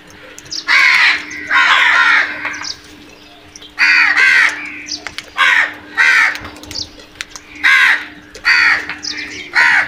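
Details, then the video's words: Several crows attacking food, calling loudly with harsh caws in bursts of about half a second, repeated irregularly through the recording, with a steady low hum beneath. "Crows vocal and brutal attack on food"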